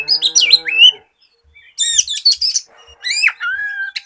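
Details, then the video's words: Oriental magpie-robin in full song, used as a lure to get untrained magpie-robins singing quickly. Loud whistled phrases with sweeping, slurred notes and a rising-then-level whistle come in three bursts separated by short pauses. "SIULAN KACER GACOR"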